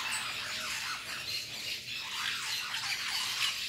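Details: In La Fortuna, lorikeets eating fruit keep up continuous rasping screeches and squeals, many birds calling at once in a busy, irregular high-pitched chorus.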